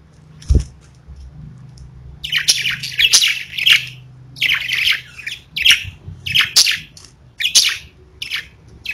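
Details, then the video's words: Pet parakeets at home give short bursts of high twittering chirps, each lasting under a second and repeated about every half second to second, after a quiet start with a soft thump. "Budgies Parakeets Singing, Chirping"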